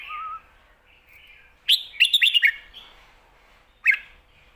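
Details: Red-whiskered bulbul kept as a cage bird, in a complete, fast song style meant to tutor chicks: soft whistled lead-in, then one quick burst of five sharp, slurred notes, and a single emphatic note near the end.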